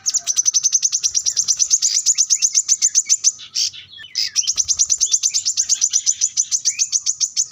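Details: Singing plain-throated sunbird, called kolibri kelapa or manggar, challenging a rival. It produces a continuous rapid chain of high sharp notes, pauses briefly near the middle, then resumes an equally fast trill to the end.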